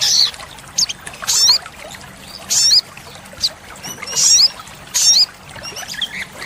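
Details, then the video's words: High, sharp, upslurred chips and brief buzzy bursts from an olive-backed sunbird, repeated about once a second. The song is in the 'isian tembakan' style and is played as a master for training caged birds. "Pancingan & Masteran sogok ontong (sogon) Full Isian Tembakan | Olive-backed Sunbird Bird sound"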